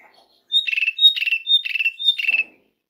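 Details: Asian pied starling calling to lure other birds into song: four rounds of a short pure whistle each followed by a rasping, buzzy chatter, delivered rapidly after a brief quiet start, with a faint low rustle at the end.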